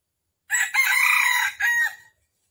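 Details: Red junglefowl call used to lure wild birds for trapping in Vietnam on the morning of 13 December 2021: a short opening note, then a long strained middle note, then a clipped falling end note. No other sound is heard.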